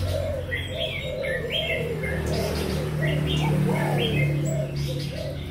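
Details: Young spotted doves kept captive, Malaysian and Thai strains, 24 June 2021, coo in soft repeated low notes amid frequent bright chirps from neighbouring birds and a steady mechanical hum.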